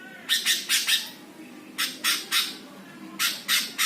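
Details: Greater green leafbird giving a master song meant to provoke other birds: harsh, raspy broadband squawks in bursts of two to four, separated by short pauses, over a quiet low hum.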